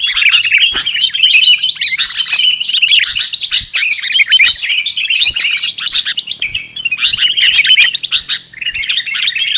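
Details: Trapping lure call of the sooty-headed bulbul: steady, busy chirping and warbling from overlapping voices, loud and continuous, with faint low hum behind.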